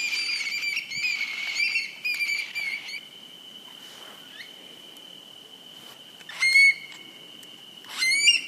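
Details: Eurasian stone-curlews flying over one evening in England, where they are rare summer visitors, give eerie, wailing whistled calls, a cluster at first, then two more rising cries, over a steady high whistled tone.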